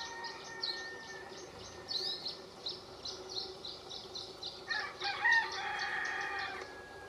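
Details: Atlantic canary in a Canary strawberry tree, Valleseco, Gran Canaria, December 2022. It sings a steady stream of rapid, high twittering trills, with a lower, drawn-out crowing-like sound rising behind it near the end.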